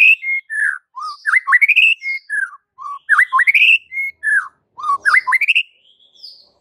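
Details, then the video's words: White-rumped shama song offered as a master recording to stir up kept shamas: varied clear whistled phrases, slurred rising and falling notes, quick upward sweeps in short bursts separated by brief pauses, with no other sounds. "Murai Batu anda langsung NGAMUK - NGAMUK & MUNTAHIN ISIAN dengar MASTERAN ini"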